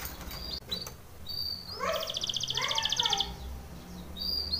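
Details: Canary singing for training: after soft chirps and faint background noise, a bright, rapid trill rolls for about a second with lower warbled notes beneath it, followed by brief high chirps.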